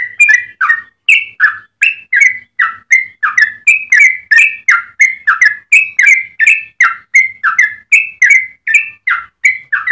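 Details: Sustained fast song of a yellow-vented bulbul, valued as a tutor and lure for other bulbuls, with evenly paced, sweet gurgling notes, about three per second, each note rising or dipping, and a clean background.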